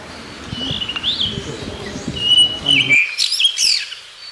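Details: Blue rock thrush (Monticola solitarius) singing sweet whistled phrases that swoop up and down, then a rapid run of sharp, bright notes near the end, over faint low background noise that drops away partway through.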